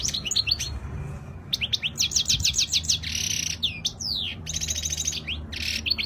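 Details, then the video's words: European goldfinch delivering flawless Spanish-style song, 2020: rapid liquid twitters, a run of evenly repeated chirps, and two harsh buzzy trills between bright tinkling phrases. "تغريد الحسون الإسباني الخالي من الأخطاء"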